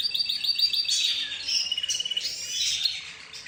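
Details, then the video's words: Mixed bird chorus of budgerigars, zebra finches and a canary, sounding as if the birds talk among themselves: dense high chirps and twitters, a quick run of repeated notes at the start, then overlapping trills and warbles. "حديث الطيور"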